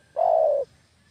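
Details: Spotted dove (derkuku), kampung type, played as a lure call for catching doves: one steady, low, hoarse coo lasting about half a second, fading slightly at the end, against quiet background hum.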